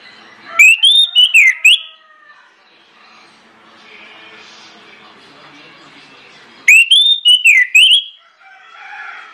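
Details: Orange-headed thrush singing loudly and insistently as a lure for other birds: two matching phrases of looping, warbled whistles with bright overtones, about six seconds apart, with faint chatter in between.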